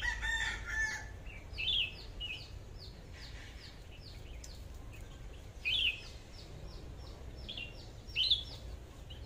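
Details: Decoy red-whiskered bulbul with an 'AK' style voice, one of a pair: bright, slurred whistled phrases at roughly three-second intervals, standing out from a busy background of soft repeated chirps by other birds.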